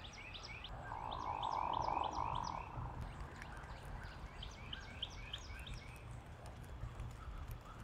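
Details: Hooded merganser from a flock giving its typical low, rolling, frog-like grunt lasting about two seconds, with steady high chirps from other birds throughout.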